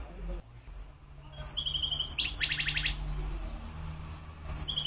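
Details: Wild European goldfinch song, with high liquid twitters and a fast buzzy rattling trill in the middle, then a short return of tinkling notes near the end over a low steady hum.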